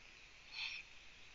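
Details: Eurasian eagle-owl chicks at a nest in Latvia, watched by a live camera at 05:09 on 4 June 2017 while the mother is away and food is scarce; one short rasping hiss, about a quarter second, over faint steady background noise.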